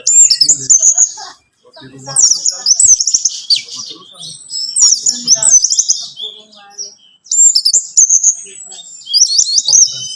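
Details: Singing orange-headed thrush, recorded to trigger song in a captive bird: high, thin trilling and twittered phrases in bursts separated by short pauses, each burst a jumble of quick piercing notes.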